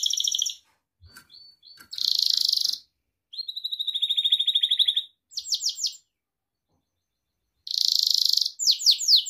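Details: Pet Gloster canary delivering short bursts of song with silences between: buzzy rolls, a steady trill of even notes, quick downward sweeps. Intended for training canaries.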